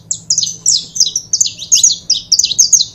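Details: A pair of saffron finches singing: bright, high chirped notes in quick overlapping bursts, each a short sliding chip, repeated steadily across the three seconds with a faint low hum beneath.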